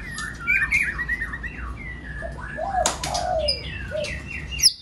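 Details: White-rumped shama song used to stir other birds to sing: slurred whistles and chattering notes, with lower mellow downslurred whistles and a sharp click near the end.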